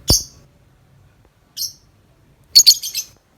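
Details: Tame lovebird out of its cage chattering in 'ngetik' style; a sharp click, then a lone high chirp, then a fast fluttering run of shrill notes.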